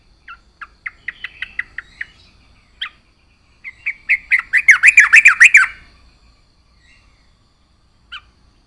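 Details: Yellow-vented bulbul singing energetically: a string of evenly spaced short chirps, a pause, then a fast, loud, bubbling warble of wavering notes, with a single chirp well after.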